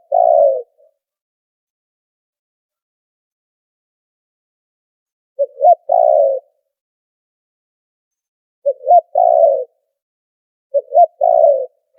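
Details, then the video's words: Filtered spotted dove lure recording for trapping: four low coo phrases, each a quick coo, an upswept note and a drawn-out purring croo, spaced two to five seconds apart in silence. "Tiếng chim cu gáy chuẩn kích mồi đã lọc tạp âm | file mp3 cu gáy kích bổi"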